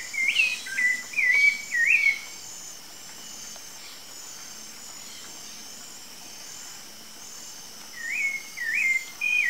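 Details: Free-living Rufous-bellied Thrush (Turdus rufiventris): a burst of four quick whistled notes that rise and dip, then several seconds of quiet hiss, then three more similar whistles.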